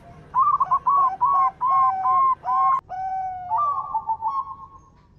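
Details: Female local zebra dove, used as a lure to get doves singing, calling in six quick, punchy coo notes followed by a long descending note and a soft trailing trill.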